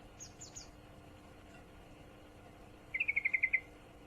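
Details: Female yellow-vented bulbul in heat calling for a male, one late burst of seven quick, clear chirps after faint high squeaks from another bird near the start.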